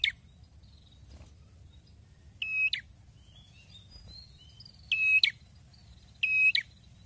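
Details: Actively singing red-headed prinia: three loud buzzy bursts, the last two close together, each ending sharply, with scattered thin whistles and chirps of other birds in between.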